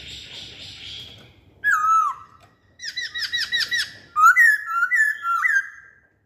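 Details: Masked laughingthrush lure song: a faint low hum, then loud slurred whistles falling in pitch, a quick run of short arched notes, and finally bright rising-then-falling whistled phrases repeated several times.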